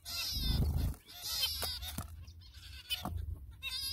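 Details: Zebra finch parents feed their young amid nasal, buzzy calls in quick rasping bursts, over low thumping noise.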